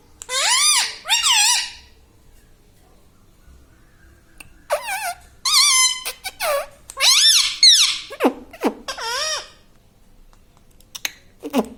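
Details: Pet parrot kept indoors, talking and saying "Mummy"; loud, harsh, voice-like phrases with wavering pitch, in several bursts separated by short pauses in a quiet small room.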